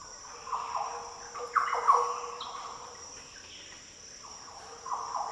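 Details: Liquid, mellow song of a Green oriole in the Daintree rainforest, Australia: a burst of warbled fluty notes early on, a quieter stretch, then a softer phrase at the end, all over a persistent insect whine.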